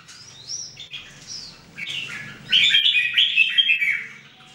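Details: Three caged Red-whiskered Bulbuls, locally called Jambul, sing during daily song training in 2018: soft warbled phrases at first, then a louder burst of bright, rapid, bubbling whistled notes near the end, with a low hum underneath.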